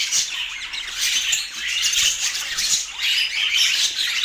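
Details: Budgerigars in Portland produce harsh squawks mixed with quick chirps, a thick overlapping high-pitched chatter with brief dips in loudness.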